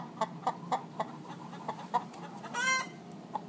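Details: Several domestic hens chiming in with the egg song before laying, nest boxes already in use: soft spaced clucks roughly every quarter second, then a rising raspy squawk, quieter and more distant.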